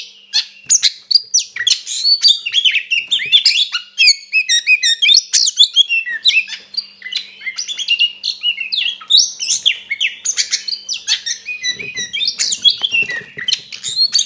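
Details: White-rumped shama in a continuous, energetic fighting song used to provoke a rival shama: rapid, varied whistles, sharp chips, trills and mimicked notes pouring out without a break, high and loud throughout, with a faint low hum beneath.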